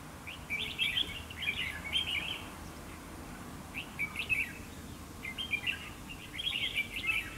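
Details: Red-whiskered bulbul singing at a fight trap to provoke other bulbuls: clear bursts of bright, warbling whistled notes in quick phrases, separated by short pauses, over low background hiss.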